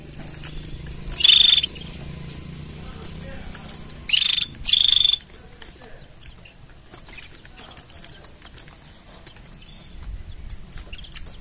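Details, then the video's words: Canary mating sounds: a short, high, buzzy pulsed trill, then after a pause two more brief rattling bursts in quick succession, over a faint low hum. "Tone Up Your Canary's Singing with These Mating Sounds!"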